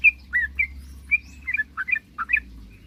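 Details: Sooty-headed bulbul in energetic song meant to provoke rivals into calling: bright whistled notes, first spaced, then quicker paired chirps with brief pauses, over faint low hum.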